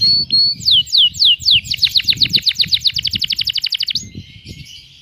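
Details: Canary in cengkok mewah masteran song: several sharp downward-sweeping whistles, then a long rapid high trill of about thirty pulses, ending in a soft buzzy tail, with low thumping noise throughout.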